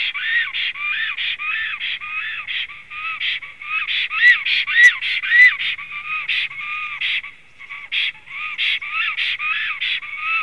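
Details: At the nest after returning, a male black stork whistles on and on, 3 April 2016 afternoon: rapid, dense run of layered whistled notes, partly rasping, about a hundred per minute with brief lulls.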